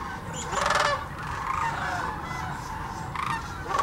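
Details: Sandhill cranes by the thousands at Hiwassee Wildlife Refuge, Birchwood, Tennessee, where they migrate each year; a dense chorus of rolling, rattling bugles overlaps, with louder bursts near the start and end above a steady low rumble.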